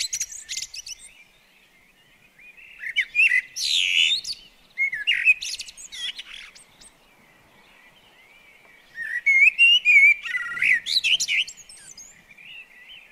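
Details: Common blackbird singing while visiting a garden bird table: several phrases, each opening with low mellow fluted whistles and ending in high, squeaky twittering flourishes, separated by pauses of a few seconds with faint background chirps.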